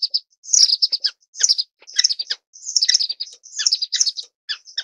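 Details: Orange-cheeked waxbill, Estrilda melpoda, giving a busy series of high, thin chirps and short buzzy notes in quick bursts, with brief pauses between clusters; no other sounds intrude.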